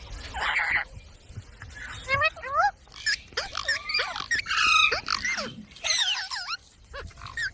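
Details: Talking parrot pouring out a rapid string of varied harmonic chatter, with sweeping whistles, nasal syllables and raspy notes that blur together like speech.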